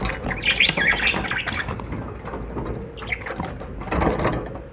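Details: A budgerigar gives quick, bright chirps and a twittering warble in short bursts, with steady background noise throughout.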